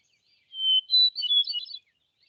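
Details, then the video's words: Hermit thrush, Vermont's state bird, known for a beautiful song: one phrase opening on a long, pure whistled note, then higher, rapid fluttering and tumbling notes, lasting just over a second against complete silence. "It's the hermit thrush, known for its beautiful song."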